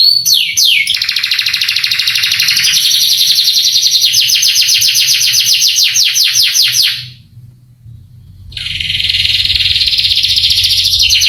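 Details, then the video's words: Canary song aimed at young canaries: quick sweeping notes into a long buzzy trill, a brief silence, then more high trilling. "MASTERAN KENARI bikin KENARI PANAS EMOSI langsung gacor"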